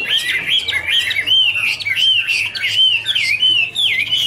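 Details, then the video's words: Duet song of dancing Chinese hwamei: fluty looping whistles rising and falling in quick succession, each phrase slurred and varied, over a faint low hum. "Birds Garrulax canorus singing: dancing, duet fin wings, wonderful warble songs"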